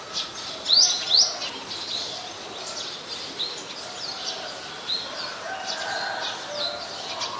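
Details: Adult Common Tailorbird, a common resident, recorded in Ubon Ratchathani, Thailand, on 8 February 2021: two loud, sharp, high notes sweeping downward in quick succession, followed by a busy background chorus of fainter chirping birds.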